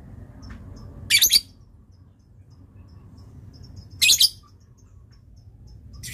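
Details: Lovebird used as a master bird for training, giving two loud harsh doubled screeches about three seconds apart, with faint ticks and low room hum between.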